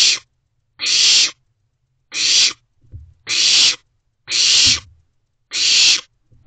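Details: Owlets inside a nest box just after midnight in June, giving harsh hissing screeches, each about half a second long, repeated roughly every second, with faint rustling between.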